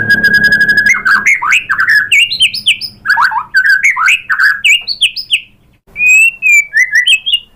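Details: White-rumped shama song used as a lure to provoke other birds to sing. It opens with a steady whistled note, then runs into a fast, varied stream of slurred whistles that rise and fall, with a brief pause before clear sliding phrases.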